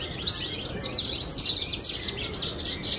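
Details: Caged blorok-coloured Javan bush lark, a champion contest bird, gives a short burst of sharp, high, sliding chirps in quick succession.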